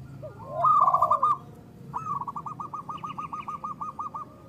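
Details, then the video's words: Local zebra dove call for luring and trapping: a short loud trilled burst, then an even string of about a dozen quick, hooked coo notes, while a second dove coos softly. "Perkutut lokal gacor Suara Besar Pancingan Untuk Pikat dan Malas Bunyi"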